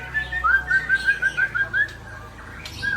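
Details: White-rumped shama, known locally as Murai Aceh, singing a run of about nine short, clear up-slurred whistles at an even pitch, then pausing before one falling whistle.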